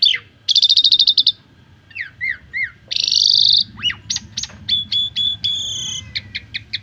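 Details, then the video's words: Asian pied starling song used as a training recording to teach other starlings to sing: a varied run of harsh buzzy bursts, rising and falling whistled slurs, short sharp notes and a steady high whistle, over faint low hum. "Masteran Jalak Suren Pemula Biar Gacor Dan Banyak Isian"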